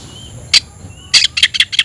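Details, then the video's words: Oriental magpie-robin (kacer) kept as a songbird, calling a rival to fight: one sharp note, a pause, then a quick run of five clipped chirps over a faint background hum. "kacer gacor‼️kicau burung Kacer gacor memanggil lawan tarung"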